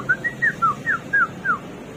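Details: Hwamei (samyong or garuwa), called a bird of 1001 voices, giving six clear whistled notes in quick succession, each a short downslurred phrase repeated about every quarter second, over a faint low background hum.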